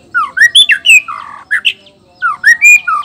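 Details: Song of a male black-tailed shama from Nias, used to provoke rival males: bright slurred whistles and harsher squawky notes in two quick bursts separated by a short pause.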